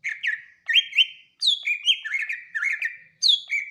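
Greater green leafbird singing a lively run of clear, slurred whistles and chirps, bright and high, with quick rising and falling notes in short bursts.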